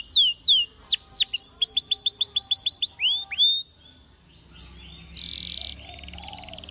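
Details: Waterslager canary song for canary training: loud falling and rising whistles, then a quick even trill of about six notes per second, before the singing fades into faint hiss and a soft buzzy sound.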